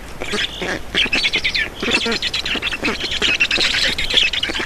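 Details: Feeding time at an Estonian Black Stork nest, 4 June 2019, 18:07: dense raspy, wheezy squawking with stuttering low clicks, rising in bursts and almost unbroken.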